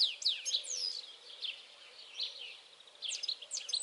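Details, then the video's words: Twittering European goldfinch song of rapid, high slurred chirps and downward-sweeping notes in bursts, a quieter pause in the middle, then more sharp chirps at the close. "Stieglitz Distelfink European Goldfinch"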